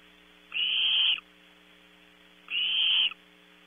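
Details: Barn owl chicks in a California nestbox at Starr Ranch, squabbling over food brought at 0300; two steady, sizzling hisses lasting over half a second each, two seconds apart, against quiet electrical hum.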